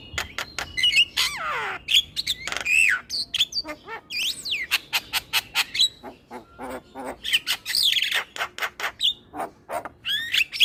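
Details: Male black-winged starling in full song for luring starlings: long fast series of clicking notes broken by harsh squawks, swooping whistles and downslurred rasps, nearly continuous for ten seconds.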